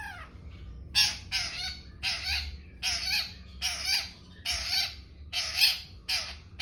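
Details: Young long-tailed shrike repeating loud, rasping, broadband scolding notes, about eight harsh bursts spaced roughly a second apart, with a low background hum.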